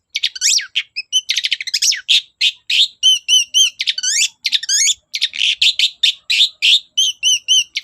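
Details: Persistently singing long-tailed shrike, a lure recording for shrikes that are slow to sing: dense, fast medley of whistled slurs, rising and falling sweeps and buzzy notes, nearly continuous with brief gaps.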